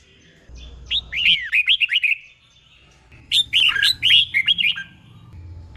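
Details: Red-whiskered bulbul, a caged tutor bird, repeating a doubled phrase twice: rapid chains of chirpy, bouncing whistled notes, each burst lasting about a second, over soft low background rumble.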